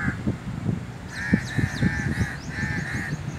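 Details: Crows calling to each other, giving several drawn-out, harsh, nasal caws in close succession, partly masked by low thumping and rumbling noise close to the microphone.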